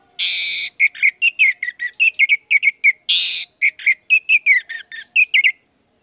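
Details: Orange-headed thrush singing, meant to prompt a reluctant bird to sing freely: two long harsh buzzy rasps, each followed by a quick string of short sharp whistled notes, roughly six per second.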